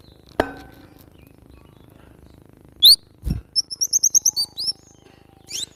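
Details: Cinereous tit (glatik batu) song for training cage birds: an early click, one loud downslurred whistle and a thud, then a rapid even series of about eight short high notes and a final faint note.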